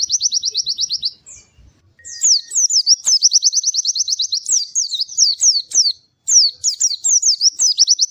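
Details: Pleci, a white-eye, in bright melodious gacor song: long runs of rapid, evenly repeated high chipping notes broken by short gaps, with twisting down-slurred twitters mixed in.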